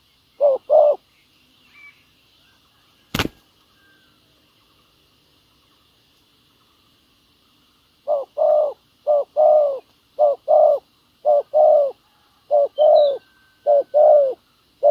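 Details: Ground decoy spotted dove luring wild doves with a foreign-style song: two coos, a long pause with a loud click, then a rapid run of paired coos, short then long, about once a second.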